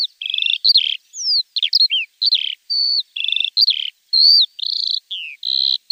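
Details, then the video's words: Javan bush lark song used as a tutor recording for training cage birds: a varied run of clear whistled phrases, some steady, some sliding up or down, in short bursts separated by brief pauses. No other sounds. "Masteran Branjangan!!"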